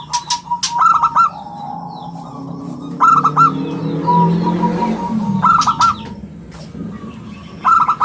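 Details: Local zebra dove singing actively, its round, crystal-clear voice used as a lure and tutor for other birds: quick bursts of three bright, clipped cooing notes recur about every two seconds, with a steady low hum and faint chirps behind.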